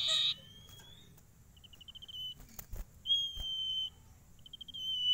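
A Common Iora sings long, pure, drawn-out whistles broken by quick runs of five or six rapid, high piping notes, over a faint low background hum.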